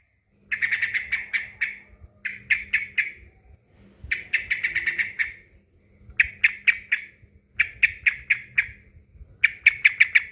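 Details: Male trucukan, the yellow-vented bulbul, calling out to a rival in bursts of rapid scratchy chattering notes, each burst about a second long and separated by short pauses, over a faint low hum.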